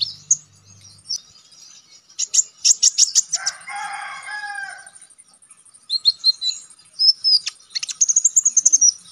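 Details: Konin songbird in lively, sharp song for training contest birds. High chirps and quick trills are interrupted by a lower, harsh harmonic call lasting about a second, then bright whistles and a rapid high series.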